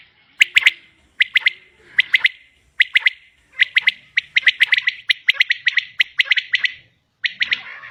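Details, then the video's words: A common quail hen calls with quick paired and tripled chips, first spaced about every 0.8 seconds, then running together in a faster stream before a short gap. "Batair Ki Awaz | Common quail Calling| Female Quail sounds | Maadi Batair Ki Awaz | Quail Calling"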